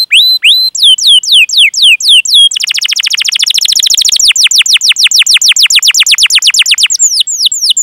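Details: Domestic canary in long, lively training song meant to prompt other canaries, including young or silent birds, to sing: sharp downslurred whistles, then a fast rolling trill of dense repeated notes for several seconds.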